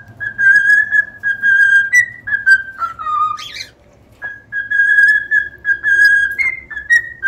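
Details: Cockatiels singing: clear whistled notes held level with short upward slides, phrases of about a second repeated with brief pauses, plus a short break mid-clip before the steady whistling resumes.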